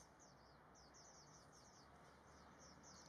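Thin, high, quick chirps from a Japanese white-eye, several per second in loose bursts, over a steady background hiss with faint continuous high tones.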